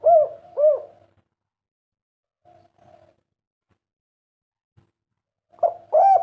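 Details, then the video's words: Spotted dove of the 'kuk 3' cooing type, called a rare bird: two arched, hollow coos open the clip, soft muffled notes follow after a pause, then two more rounded coos close it over a low steady hum. "Derkuku kuk 3 burung langka yang masih ada sampe sekarang suaranya bikin ngiler"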